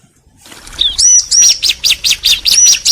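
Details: Bar-winged prinia, a male and female answering each other: a rising note, then a run of sharp high chirps repeated roughly every quarter second, close and loud.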